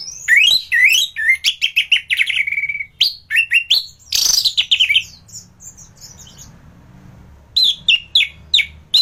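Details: Orange-headed thrush in full song, recorded as tutor material for other cage birds: rich, varied phrases of rapid slurred whistles and chirps, some dropping to a held note, a pause, then fresh bursts of sharp notes.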